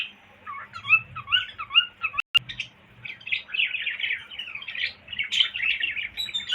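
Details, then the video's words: Cockatiel whistles a series of wavering, regularly repeated up-and-down notes, interrupted by a sharp click, then breaks into denser high chattering warble. "Cocktail Parrot Whistling"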